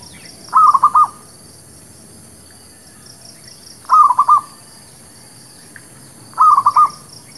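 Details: Lure recording of zebra dove song for trapping and new birds: three brief trilled coos, each a rapid run of clipped notes, spaced roughly three seconds apart with quiet between them.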